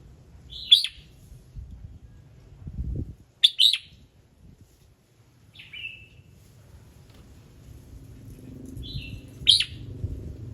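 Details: Red-whiskered bulbul singing at morning, varied phrases meant to draw other birds into singing: loud clipped whistled chirps every few seconds with softer slurred notes between, plus a brief low thump and rising background hum near the end.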